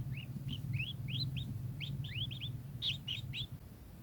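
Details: Kingfisher uttering rapid, rising, slurred notes in quick succession, some doubled, over a low droning background.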